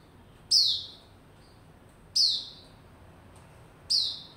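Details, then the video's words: White-rumped shama, a kept bird, cranking up to build form on 27 December 2021; loud sharp downslurred notes, each sliding from high to lower, repeat about every one and a half seconds over quiet background hiss. "cranking up buka form & sing - build form"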